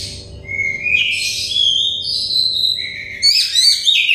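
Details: Song of an Oriental magpie-robin, a stressed, untrained bird, used as therapy to make it sing freely: long sweeping whistles rise and fall, ending in quick chattering, warbled notes, with a constant faint low hum.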